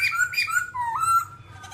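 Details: Babbler with entirely black plumage, a rocky-habitat bird, giving a brief run of squeaky, harsh-edged whistles that bend up and down, ending in a longer wavering tone over a faint low hum.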